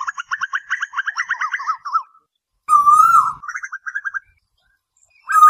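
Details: Asian koel in a night lure recording gives a rapid string of wavering notes, then one long drawn-out whistle followed by a shorter run of quick notes.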